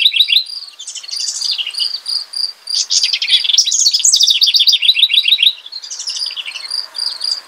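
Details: Singing house wren (Troglodytes aedon). Energetic, rippling phrases of quick descending trills and gurgling notes come in bursts a second or two long, each broken by brief gaps filled with steady, repeated high-pitched chirping.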